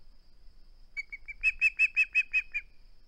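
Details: At a camera-watched osprey nest on 21 August 2020, the bird refuses to part with its flounder: three soft whistled notes, then seven loud, ringing chirps delivered evenly in about a second.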